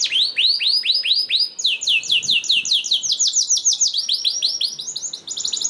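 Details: Canary singing to encourage other canaries to sing: a run of rising whistled notes about twice a second, then fast rolling trills of chirps at several speeds.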